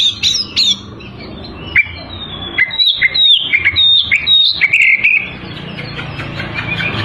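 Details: A continuously singing Oriental magpie-robin provokes rivals: a few sharp whistles, a pause, then a long run of quick descending slurred notes and warbles. A low background hum is faintly audible.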